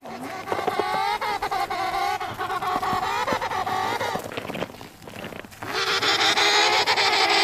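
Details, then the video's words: Penguin calling loudly in long, harsh, braying phrases with rich harmonics, the voice rising and falling, then a second burst of honking after a short pause. "Amazing Sound of Penguin"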